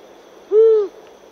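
A single low, drawn-out hoot from a Long-eared Owl, slightly arched in pitch and distinctly nasal in tone, lasting under half a second against a quiet background.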